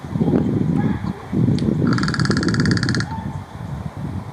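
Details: Crow recorded in August 2021 giving a dry, rapid rattle of evenly spaced clicks lasting about a second in the middle of the clip, over steady low rumbling background noise.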